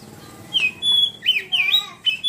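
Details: Ngeriwik-style song of an Oriental magpie-robin: a short run of bright whistled slurs and upward-sweeping notes, broken by brief pauses, over faint low background noise.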